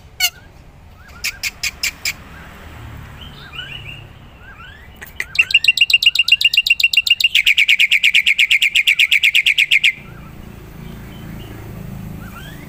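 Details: Lure and training recording of a vigorous black-winged myna: a few sharp clicks, soft sliding whistles, then a long, rapid, rattling trill lasting several seconds before fading back to quiet whistles.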